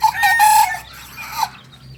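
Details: Young Kokok Balenggek rooster from Solok, West Sumatra, two months old, crowing: a strained, wavering tone lasting under a second, then a weaker trailing note.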